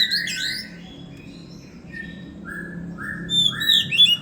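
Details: A male Oriental magpie-robin in breeding condition sings loud, varied whistled phrases of sliding and rising notes, ending in sharper high notes, over a faint low hum. It is sunning in the morning after a bath and a feed of crickets.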